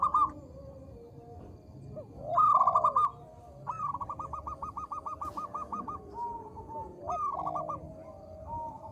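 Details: Local zebra dove with a small voice, singing briskly as a calling lure: loud staccato trill around the middle, then a long even string of clipped notes and softer low coos, over a continuous hiss.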